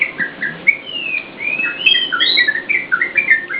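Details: Yellow-vented bulbul in full, prolific song, used as a lure and tutor for cage birds: a rapid chain of bright whistled and warbled notes, many sliding up or down, packed closely without pause.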